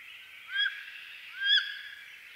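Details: Pair of rising, whining squeals from a wood duck in eastern North America, roughly a second apart, with soft high background noise.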